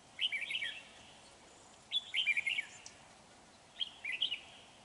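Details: Red-whiskered bulbul lure bird, a large dark-bibbed individual, during trapping on 31 January 2019: three clear, jaunty warbled phrases, each under a second, repeated roughly every one and a half seconds.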